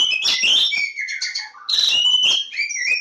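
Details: Continuous, energetic song of the Kacer Jawa, or Oriental magpie-robin, made of overlapping whistles, slurred glides and harsh chirps that follow one another almost without pause.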